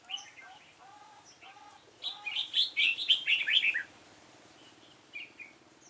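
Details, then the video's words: Red-whiskered bulbul, yežm đậm type, at a trapping session with a decoy bird on 28 February 2017: a loud burst of rich, tumbling warbled notes after soft repeated lower chirps, then a few scattered calls. "Bẫy chào mào yếm đậm"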